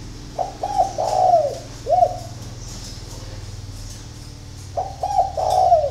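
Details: Spotted dove at dawn in Ba Vì, Hanoi, Vietnam, giving two full coo phrases: quick hooked notes running into a long descending coo, then a single coo, silence, and a second phrase starting. Faint high chirping throughout.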